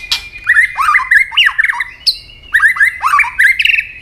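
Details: White-rumped shama singing a fighting song while snapping its tail, a continuous run of fast, harsh, buzzy and squeaky phrases with sharp rising notes and a brief high whistle, repeated in two bursts.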